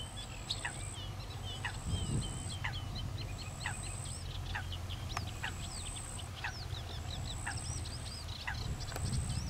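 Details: Common pochard ducklings feed eagerly while their mother keeps guard. Rapid, thin descending peeps follow one another almost continuously, over a repeated high steady whine and a low rumble.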